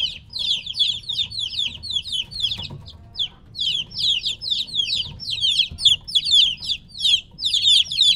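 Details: Little chickens about three weeks old, kept from their mother, keep up a loud chorus of high, sliding cheeps, with a faint knock in the background near the middle.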